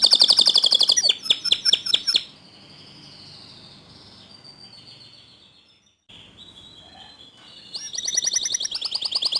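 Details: Canary song used to get other canaries to sing: a dense high trill and a few sweeping notes at the start, several quiet seconds, then a loud, fast, ringing trill resumes.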